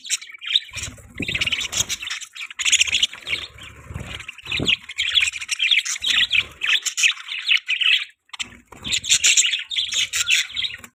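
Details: Budgies chirping together, a dense chatter of scratchy warbles, squawks and quick chirps in overlapping bursts broken by short pauses, with occasional low thumps.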